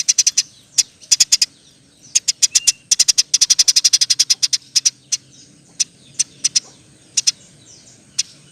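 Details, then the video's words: Eurasian tree sparrow singing energetically in the rapid-fire roll style used as training material for other songbirds: high, dry chirps in tight clusters, a long dense run in the middle, then scattered single notes. "Burung gereja gacor. Roll tembak pas untuk masteran"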